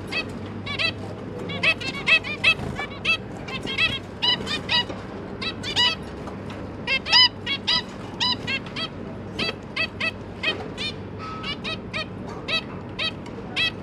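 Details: Zebra finches, parents and three newly hatched juveniles at feeding time on 1 October 2022, keep up a continuous stream of short nasal beeps, rapid and overlapping throughout, above a low electrical hum.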